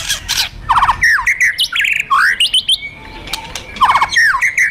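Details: Kretekan and tembakan of a fighter white-rumped shama, played to stir rivals: harsh rattling bursts alternating with bright twisting whistles, a thin sustained tone in the middle, then more rattles and rising notes.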